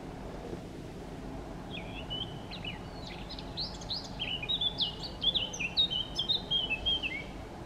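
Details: A Eurasian blackcap (Sylvia atricapilla) in Chełm, Poland, on 17 May 2022, singing between bouts of foraging, gives a rapid warbling phrase that builds into clear, fluty whistles, over a steady low background rumble.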